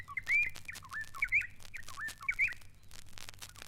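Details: White-browed robin-chat, an East African bird with olive-brown mantle and wings: bubbling song of rich looping whistled notes rising and falling, phrases repeated about once a second, over low background hum.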